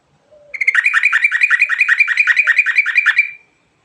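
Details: Yellow-vented bulbul singing 'ngerol' style: a fast, even trill of slurred, bubbling notes repeated about three and a half per second for nearly three seconds, preceded by a faint low note.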